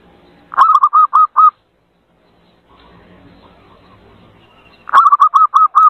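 Zebra dove: two bursts of about five quick, clipped cooing notes, each sharply struck and mid-pitched, separated by a few seconds of faint background murmur.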